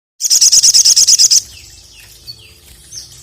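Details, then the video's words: Ruby-cheeked sunbird singing to call out a rival. A fast, regular run of about eleven very high, buzzy trilled notes lasts about a second. Then come faint, thin, downslurred whistles over quiet background hiss. "KICAU SOGON GACOR MEMANGGIL LAWAN INI JITU BANGKITKAN EMOSI SOGOK ONTONG MANANPUN"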